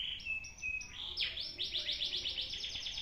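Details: Caged canary recorded with an old camera in Indonesia, judged for contest readiness: a few flat whistled notes, then a fast rattle of bright descending slurs repeated about five times a second, with low background noise.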